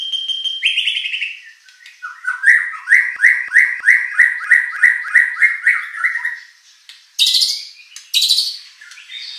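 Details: Song of a white-rumped shama used to stir competition shamas into replying: a steady whistled note, then a long rhythmic series of about fourteen rising slurred notes, closing with rasping, scratchy bursts.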